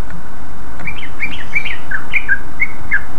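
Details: Greater green leafbird song in 'ngeplong' style, meant to get other leafbirds to respond: a quick string of short, high, slurred whistled chirps, some falling, about three per second, partly masked by strong continuous hiss.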